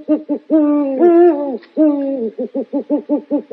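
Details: Owl hooting: a few long, level low hoots that slide downward, followed by a quick run of about ten short, evenly spaced hoots.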